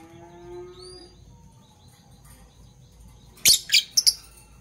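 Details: Fischer's lovebirds, parblue violet and parblue turquoise, in the morning: a faint thin whistle first, a quiet pause, then a loud cluster of four sharp, very high chirps near the end.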